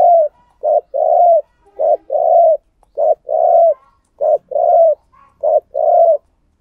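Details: Spotted dove used as a decoy, calling to draw in other doves; five paired coos, each a brief low hoot then a sustained mellow note, delivered steadily about once a second with near silence around them.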